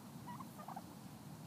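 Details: A pet wild turkey, called down from its roost in the morning after a night of rain and hail, gives a few soft, short mid-pitched notes in quick succession over a steady low background rumble.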